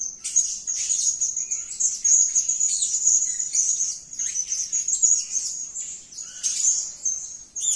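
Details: Energetic blue-crowned hanging parrot calling with sustained, piercing high chatter of fast squeaky notes, broken by only short pauses and swelling into louder flurries.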